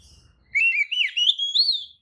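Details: Oriental magpie-robin lure song intended to trigger replies and tail-opening in other kacer; one flowing whistled phrase winding up and down, gradually rising, after faint low rumble.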